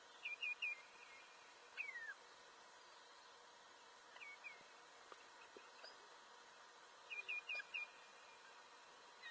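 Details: Osprey giving brief bursts of three or four rapid whistled notes separated by pauses, plus one longer downward-slurred note, against faint continuous hiss.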